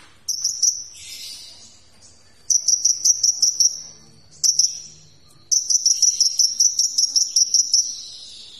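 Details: Sunbird song used as a tutor recording for training magpie-robins and other cage birds, full of varied phrases: bursts of rapid high sharp trilled notes, each burst about a second long, separated by short pauses and softer twittering.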